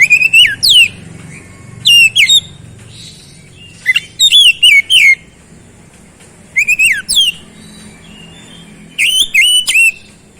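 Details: Oriental magpie-robin (kacer) singing in fast, lively gacor style: bursts of loud, sharp whistled notes sliding down and up, grouped in short clusters about every two to three seconds, with quiet pauses between.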